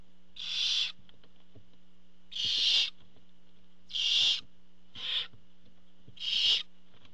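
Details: Barn owl at the nest as the father arrives with food: five harsh, breathy hissing screeches, each about half a second long, spaced one to two seconds apart, over a steady low hum.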